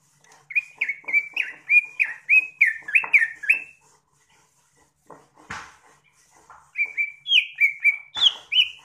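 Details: Greater green leafbird (cucak ijo) singing rapid strings of short slurred whistles, about two notes per second, then a pause broken by a sharp click before higher, rising whistled notes resume.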